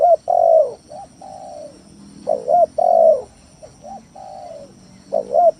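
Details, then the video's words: Spotted dove (tekukur tanah) lure song for provoking rival doves: repeated phrases of a double coo, long mellow falling coo and two softer coos, about every three seconds. "Suara Pikat Tekukur Tanah full gacor Nekan lawan"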